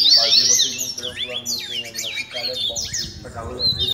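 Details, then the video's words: Double-collared seedeaters training their song: a continuous, irregular stream of high, sharp sweeping whistles and chirps, with some lower harmonic notes and a faint hum underneath, ending abruptly. "COLEIROS DANDO UM TREINO"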